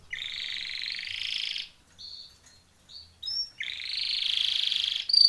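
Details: Timbrado canary training song: two long buzzy rolling trills separated by short quiet notes and brief chirps, the second trill swelling into a high whistled note.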